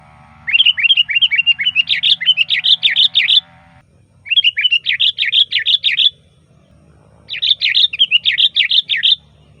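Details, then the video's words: Sooty-headed bulbul in loud, varied full song, used to lure bulbuls: three bursts of rapid, bubbly chattering notes, the first long and dense, separated by brief pauses, with a faint low hum underneath. "Suara Burung Kutilang Gacor FULL VARIASI"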